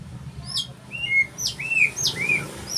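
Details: White-rumped shama song: clear whistled notes, some rising sharply and some gliding down, with short slurred phrases repeated across the clip over a low background hum.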